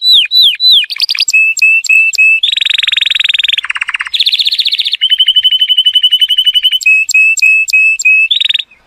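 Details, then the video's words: Song of an Atlantic canary, used for tutoring young birds and prompting males to sing, with slurred whistles, then varied rolling trills at different pitches, some buzzy, some lower and rattling, chained without pause. "صوت طائر الكناري لتعليم الفراخ | تحفيز الذكور على التغريد"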